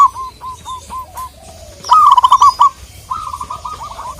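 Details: Indonesian local zebra dove calling rivals: soft spaced hooked coos, then a sudden loud rapid rolling burst, followed by a quieter fast trill, in an otherwise quiet setting with a few high chirps.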